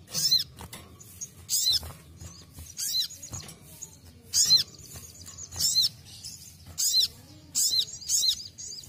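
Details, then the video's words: Ruby-cheeked sunbird basic song, played so kept birds stay settled: very high, thin, sharp bursts of notes, repeated roughly every one to one and a half seconds over a faint low hum. "KICAUAN DASAR SOGON"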